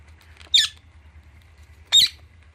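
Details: Alexandrine parakeet kept with Indian ringneck parrots, playing with palm tree fronds. Two short, harsh, screeching squawks about one and a half seconds apart over a low steady hum.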